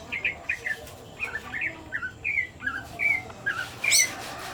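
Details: Greater green leafbird in breeding condition, singing a run of short clear whistled notes, several slurring downward, given at roughly one per second, closing with a brief higher, brighter note cluster over a faint steady background hiss.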